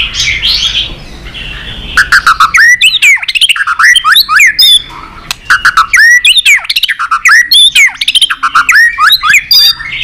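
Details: White-rumped shama delivering a long, flowing competitive song while flicking its tail: rapid, varied whistled phrases with sharp rising and falling notes, mixed with loud dry clicks in dense bursts, after a short softer warbled opening.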